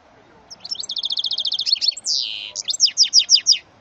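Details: Goldfinch-canary mule, offspring of a male goldfinch and female canary, sings a rapid rattling trill of about fifteen notes, a drawn-out descending buzz, and a string of five clear downward-sweeping whistles.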